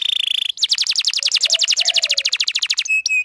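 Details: Canary song for luring a male and teaching young canaries: a buzzy steady tone gives way to a fast, even trill of sharp sweeping notes, ending in short flat whistles.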